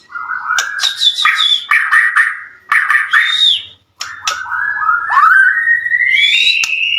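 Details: Song of a white-rumped shama meant to goad rival shamas into replying: bursts of rich warbled phrases with clicks between, ending in a long rising whistled slur.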